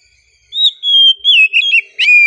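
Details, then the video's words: Relaxed song of an oriental magpie-robin: clear sustained whistles gliding gently down, followed by short twisting notes and a final sharp note that settles into a long steady whistle, in a quiet setting. "KACER KICAUAN SANTAI NYA BIKIN HATI JADI TENANG"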